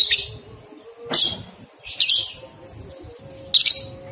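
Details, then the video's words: A lovebird's ngekek song from a training recording for two-month-old young lovebirds. Shrill chattering bursts come roughly once a second, over a faint steady low hum. "Masteran Lovebird Paud 123 Ketukan Terbukti Ampuh Merangsang balibu 2 bulan Ikut Ngekek"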